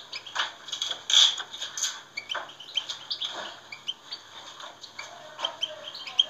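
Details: European goldfinch song for stimulating captive goldfinches, a lively stream of high, bright twitters and buzzy chirps in quick irregular bursts throughout, with several louder ringing notes.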